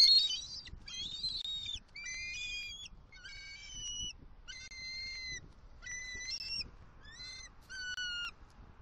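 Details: A bald eagle at a Southwest Florida nest, October 28, 2023, as the male brings fish gifts to the female: a series of eight high, clear whistled notes, each roughly a second apart, with a quiet background.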